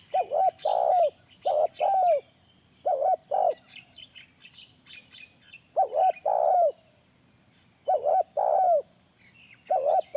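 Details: Spotted dove calls used for luring: short clustered phrases of two or three mellow, arched coos, repeated about every two seconds, over a steady high-pitched hiss.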